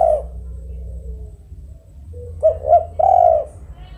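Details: Melodious spotted dove call: after a quiet hum, two short rising coos followed by one longer, drawn-out coo, low and soft.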